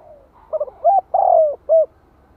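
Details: Decoy spotted dove calling in the 'gáy gọi' and 'thúc' manner to excite wild doves. A soft lead-in, then low hollow coos: stuttered pair, arched note, long downward glide and a final rounded coo.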